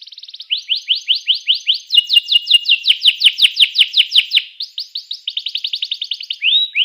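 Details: Canary song played to get other canaries singing: long runs of fast repeated rising sweeps, about three per second, shifting between rolling trill sections and ending on a short pure whistle.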